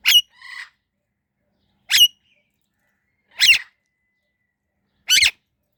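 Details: Indian ringneck parrot giving single short, harsh, screechy calls, spaced roughly every one and a half seconds, the first followed by a softer buzzy note, in an otherwise quiet setting.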